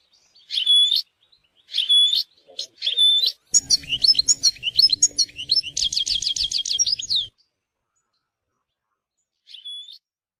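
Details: European goldfinch in nature: three separate whistled call notes about a second apart, then a long jumble of twittering chirps ending in a fast even trill, followed by silence and one final call.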